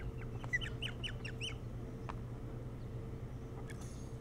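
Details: Osprey on a camera-watched nest, Hog Island, Maine, early morning of 07-03-2018: short string of about six clear, upslurred whistled chirps in one second, then quiet apart from a few clicks and a low hum.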